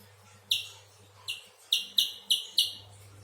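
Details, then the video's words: Six loud, sharp, high chip notes from a spiderhunter, spaced unevenly over three seconds, quiet between calls. "Burung pijantung besar"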